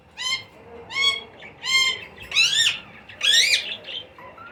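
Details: Baby green Indian ringneck parakeets calling while being fed: loud, harsh, rasping squawks repeated roughly once a second, each a broad noisy burst, some rising or wavering, with faint chatter between.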